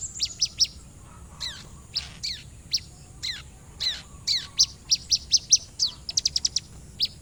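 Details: Orange-headed thrush song used as a lure recording: sharp, high downslurred whistles and quick chips, some in tight clusters, with brief pauses between phrases; faint low background hum.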